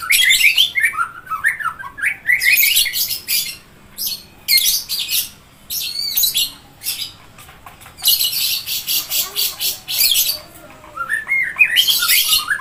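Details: A murai (white-rumped shama, Kittacincla macrura) mixes slurred whistles, falling at the start and rising at the end, with repeated bursts of harsh, scratchy rasping notes between them.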